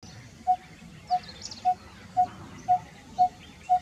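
Coppersmith barbet repeating a hollow, metallic 'tuk' on one low pitch, seven notes at about two per second, over faint background hiss.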